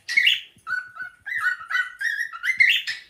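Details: Pet cockatiel whistling the tune Another One Bites the Dust indoors: a short harsh note, then steady mid-pitched whistled tones, some rising and stepping, in a bouncy phrase with brief gaps.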